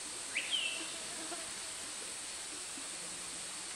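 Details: Dusky broadbill (Corydon sumatranus) gives one brief, high, shrill note sweeping up then slurring down over steady insect-like hiss; a loud forest call used when pairing or nest-building, living in family groups. Finding: Dusky Broadbill.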